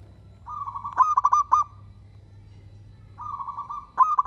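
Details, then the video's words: A local zebra dove gives its cooing song, a steady hum followed by a quick series of stuttering coos, repeated after a pause, over a faint low background hum. "Perkutut lokal gacor bikin semua perkutut kepancing bunyi dan langsung NYAUT!!!"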